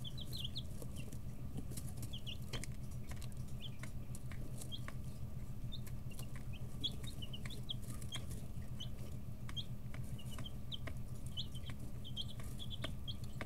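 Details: Chicks aged 11 to 13 days, kept together in a brooder, utter brief high-pitched cheeps in loose clusters throughout, some rising, others falling, above a constant low mechanical drone.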